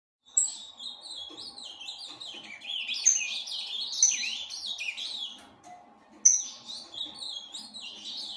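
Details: Captive Ultramarine grosbeak, a breeding bird from an aviary, singing a rich warbled phrase of sliding, rising and falling whistled notes, with a pause near six seconds before the phrase restarts; faint low background hum.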